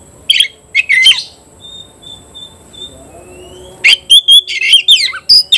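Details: Oriental magpie-robin in full song challenging a rival; a brief burst of shrill scratchy notes, a lull where faint thin whistles hold steady in the background, then a closing run of loud rapid chirps and squeaks.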